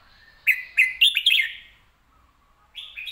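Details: Clear, fast-delivered red-whiskered bulbul song: four quick, loud, chirpy whistled notes run together in under a second, a pause, then another bright phrase begins; quiet background.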